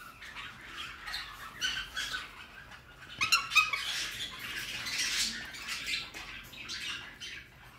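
A rainbow lorikeet imitates a cockatiel with a series of shrill, screechy squawks and chirps in an upper pitch, delivered in uneven bursts.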